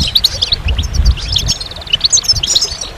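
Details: Goldfinch song of bright, high twittering notes and short buzzy slurs, sung in a quick, uneven stream, with low rumbling background noise underneath.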